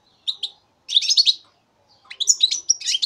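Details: Three-month-old European goldfinch of 2015 giving two short chirps, then a buzzy twittering burst, a pause, and a final run of liquid, slurred whistles and trills, recorded close with a quiet background.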